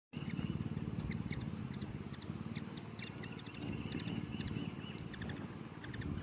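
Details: Hummingbirds in a feeding frenzy: rapid, sharp high chips in irregular bursts, several per second, over a steady low rumbling hum and a faint thin tone near the top.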